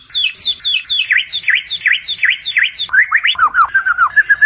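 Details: White-rumped shama (murai batu) song, a night lure recording from Indonesia for training competition songbirds: a quick run of high downslurred notes, then sharp V-shaped whistles, then varied rising and falling slurred phrases.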